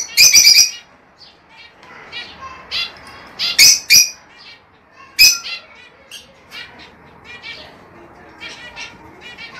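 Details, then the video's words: Lovebirds, said to be singing to stimulate mating: shrill, harsh shrieks in quick bursts near the start and around four and five seconds, with softer high chirps scattered between. "El canto más poderoso para estimular y estimular a las aves agapornis a aparearse y producir"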